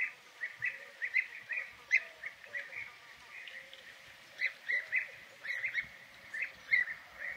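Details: European bee-eater: a steady stream of short, trilled, fluty call notes, repeated every fraction of a second in loose clusters. Softer, lower whistles sound underneath, over constant light background hiss.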